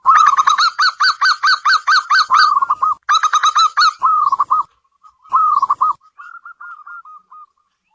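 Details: Local zebra dove kept indoors singing: a fast run of short, bubbly cooing notes repeated about twice per second, then shorter bursts with pauses, trailing off into soft notes.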